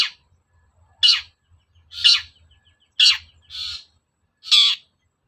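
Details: Long-tailed shrike, recorded as a provocation sound to stir shrikes into singing. Rasping descending notes come roughly once a second, one followed closely by a softer, fuller note, with a faint low rumble beneath.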